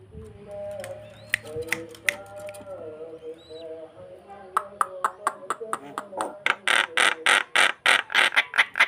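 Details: Starling singing to lure another bird; low warbled notes and clicks build into a long, rapid series of harsh, buzzy notes repeated several times a second.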